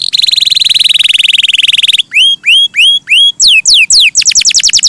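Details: Canary singing loudly: a fast even trill of high notes for two seconds, then separate rising whistled sweeps, steep falling whistles and a rapid run of descending notes.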